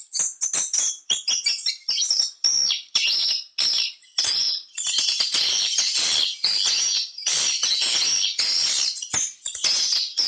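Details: Swiftlet lure call, played to attract swiftlets to nesting houses: dense, shrill chirping and twittering in rapid irregular bursts, high-pitched and continuous with brief gaps.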